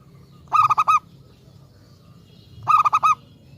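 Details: Local zebra dove serving as a lure for other doves: two phrases of five fast, resonant coo notes about two seconds apart over a low background hum.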